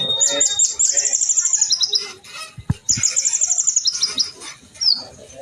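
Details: Sunbird, locally called kolibri ninja, in Indonesia, in a fighting duel: very high, rapid bright trills in two long bursts, each slightly falling in pitch, with short sharp notes in between and faint low background noise.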